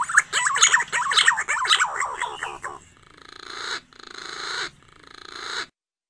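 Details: Green pigeon lure call for waiting at its nest: a quick run of fluty, warbling whistled notes for about three seconds, then two longer, harsher, breathy bursts.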